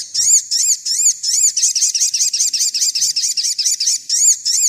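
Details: Energetic Sogon song used as master training material for birds: a steady stream of high looping, arched notes repeated about three per second, bright and slightly buzzy throughout.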